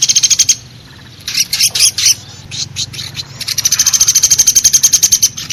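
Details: Woodpecker known locally as pelatuk besi, on a lure recording for trapping: a brief fast rattle, a pause, scattered grating squawks, then a long, even run of sharp, high notes.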